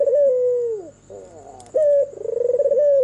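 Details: White Barbary dove, albino with red eyes, cooing after dark: a smooth falling tone, a quiet fluttering interval, then a clear high note and a rapidly pulsing coo, accompanied by a thin constant high hum.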